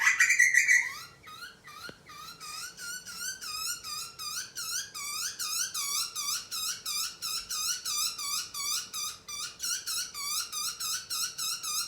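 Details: Young butcherbird being fed by an adult, begging with rapid squealing notes, each note rising then falling, repeated about three times a second in a steady run. A faint steady hum sits underneath.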